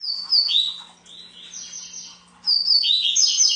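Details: Double-collared seedeater, coleiro, singing: bright high whistled phrases that slide downward, a pause, then a second burst of sweet warbled notes, with a faint steady low hum behind.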